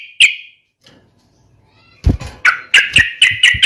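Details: Yellow-vented bulbul (trucuk) giving a provoking fighting song: one sharp note, a quiet gap with low thumps, then loud, clipped chirps repeated about twice a second with a faint knocking underneath.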